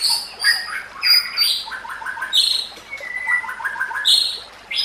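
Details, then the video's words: White-rumped shama (murai batu) song for training: high whistled notes alternating with quick stuttering series of lower chips, against background hiss. "Masteran Murai Batu: Teknik Terbaru untuk Meningkatkan Gaya Berkicau"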